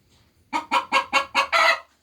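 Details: A hen's egg-laying cackle, five punchy, evenly spaced clucks building into a longer, louder squawk at the end, over a faint low hum.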